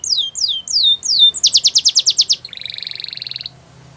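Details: Canary training song with four slurred falling whistles, then a loud pulsed series of sharp notes, then a fast buzzy rolling trill, with faint low background hum.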